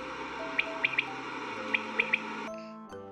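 Common quail giving two quick triplets of sharp, liquid notes, each trio lasting about half a second, over a soft musical backing.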